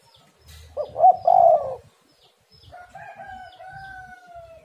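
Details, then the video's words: Spotted dove coo from a recording meant to make kept doves sing: brief stuttered notes and a rolling coo, then a drawn-out rooster crow. "tekukur super gacor suara pancingan burung galau"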